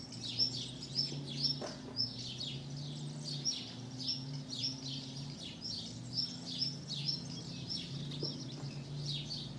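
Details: Tree pipit that nested on a house terrace during the summer season of 2016 and raised four chicks; a steady series of high, sharp repeated notes, roughly two per second, over a low constant mechanical hum.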